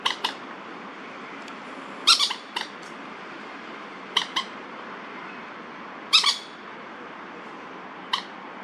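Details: Wild Crested Goshawks, two males calling at each other in a territorial dispute in Daan Forest Park, Taipei, on 30 September 2022. Harsh, sharp notes sound singly or in short pairs every two seconds or so over a steady outdoor hiss.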